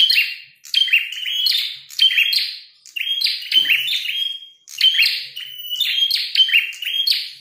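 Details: Fighting prinia with a red head, singing loudly: repeated clusters of sharp high chirps and buzzes, about six phrases separated by quick pauses, clear against a quiet background.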